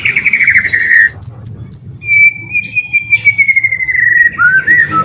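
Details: White-rumped shama in lively song, used to draw other shamas into singing: a buzzy trilled phrase, a high thin whistle, then a long clear falling whistle ending in a short rising flourish.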